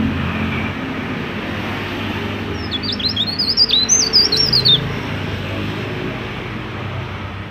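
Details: Mountain leaf warbler in full song, used to lure other leaf warblers into singing: one rapid two-second burst of high, thin whistled notes with quick rising and falling slurs, set against a steady low rumble.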